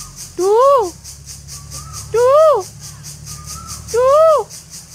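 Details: A cuckoo calling at a home gives three clear, rich whistled notes, each rising then falling, repeated about every two seconds over a low background hum.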